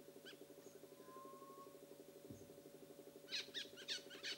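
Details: Black bulbul giving a brief burst of four harsh, nasal, broadband calls in quick succession near the end, preceded by a faint thin whistle, all over a steady low mechanical hum.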